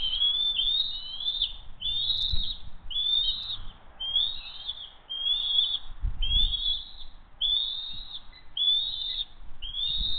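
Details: Evening dinner arrivals of the Hays bald eagle family, June 22, 2023: evenly repeated high, squeaky chirping phrases about once a second, each with a quick downward slur, plus a few soft low knocks.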